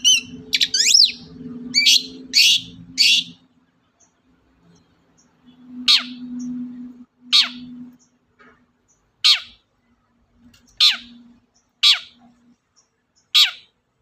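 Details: Long-tailed shrike lure sound for prompting other birds to sing: a cluster of harsh, rasping notes, then sharp, quickly falling whistles spaced one to two seconds apart, with a faint low drone.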